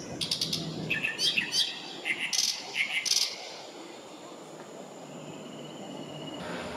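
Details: Oriental reed warbler at Kanai retention basin, Japan, 6 June 2020: loud, harsh, grating notes in quick uneven bursts for about three seconds, then a pause with only soft background hiss.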